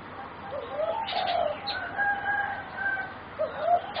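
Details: Competition singing zebra doves, four captive youngsters around three and a half to four months old; gentle, slurred coo phrases rise and fall in pitch across the clip, with a faint higher whistle and light clicking nearby.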